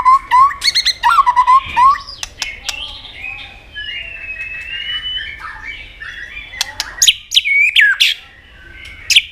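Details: Singing in competition, a white-rumped shama gives low, wavering whistles in quick bursts with sharp clicks between them. A soft, drawn-out gliding whistle follows, then loud twisting notes and snaps.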